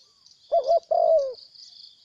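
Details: Wild spotted dove that came in to fight and then left: a single two-part cooing phrase, a short wavering coo then a longer falling coo, over a steady high insect drone.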